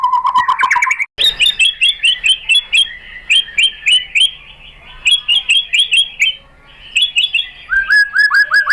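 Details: White-rumped shama (murai batu) singing as a provocation lure for rival shamas: a brief low rapid trill, then many sharp high chirps repeated in quick pulses, with short pauses and a closing series of lower chirps.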